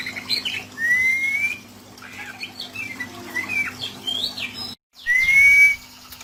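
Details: Oriental magpie-robin rough fill-in song used as therapy to make captive birds sing vigorously: clear whistled rising notes, then a scatter of short varied chirps and trills, a brief silent break, and another bright rising whistle over a steady low electrical hum.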